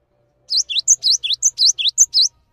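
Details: Calm Cinereous tit in full song, recorded for teaching other songbirds: emerging from silence, a clean, rapid series of slurred chirps alternating with a higher pure whistle, the phrase repeating about three times in a lively, regular beat.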